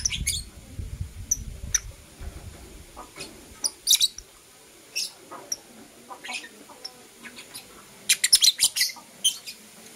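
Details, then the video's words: Sparse high chirps from Blue Opaline and Parblue Euwing Opaline lovebirds in the morning, building to a rapid cluster near the end, with low rumbling noise at the start. "Lovebird Chirping Sounds"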